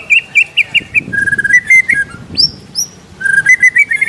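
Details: White-rumped shama (murai batu) song from Indonesia, a masteran recording for training songbirds, with rich fill phrases: clear whistled notes near one pitch repeated in quick pulses, then lower steady whistles, a sharp upslurred note, and renewed rising whistles.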